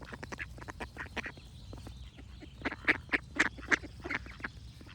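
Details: Ducks quacking loudly and close, clipped nasal calls delivered in quick, uneven series near four per second, several louder honking quacks standing out midway, with background birdsong and low rumble.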